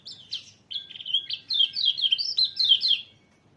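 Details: White-eye singing a rapid, continuous twittering warble of high, bright slurred notes, tumbling up and down in quick succession for about three seconds.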